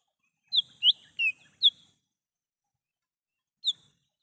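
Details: Wild lesser green leafbird song used as a lure for calling birds: a burst of four sharp whistled notes, rising and falling between mid and high pitch, then a pause and a single note.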